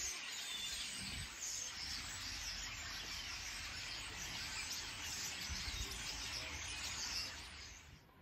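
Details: A large flock of common starlings gathered in trees along a road on Ameland gives a dense, unbroken chatter of whistles, clicks and squeaks over a low rumble of wind or distant traffic.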